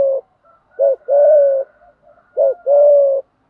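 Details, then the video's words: Spotted dove giving a fighting-style coo, meant to provoke wild birds and train decoy birds to sing: a short clipped note, then a long steady low coo. The pair repeats twice, with near silence between. "chim cu gáy thúc đấu và gù đấu kích bổi rất lẹ gáy. tiếng chim cu gáy dùng luyện mồi gáy theo"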